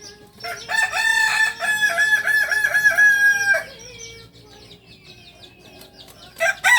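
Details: Kokok Balenggek rooster, a singing chicken native to Solok, Indonesia, kept on a farm; one long, steady, rich harmonic crow lasts about three seconds, then quieter chirping and the start of another crow.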